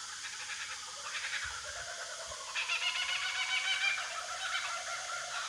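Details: Kookaburras in the Australian bush later in the day, a young one and its parents: harsh, raucous squawks and cackles in rapid bursts of about four notes a second, swelling louder halfway through, with a few faint low thumps.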